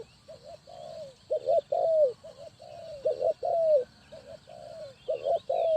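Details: Spotted dove kept as a decoy to lure wild doves into a trap, Ninh Thuận; mellow cooing phrases of short stuttered notes ending in a sustained falling coo, repeated steadily, faint small-bird twitters behind.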